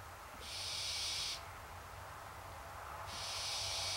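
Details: Two long, harsh, hissing screeches, each about a second, spaced roughly two seconds apart, the second rising in loudness as it is cut off; hungry barn owls begging, with a steady low background hum.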